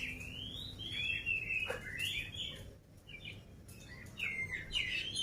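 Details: Oriental magpie-robin, energetic and unfed, singing flowing rising and falling whistles over a strong background hiss and rumble.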